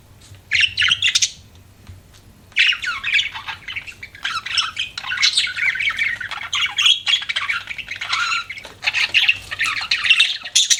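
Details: Pet budgies chirping: a short burst, a pause, then long stretches of rough, overlapping warbled chatter and squawks.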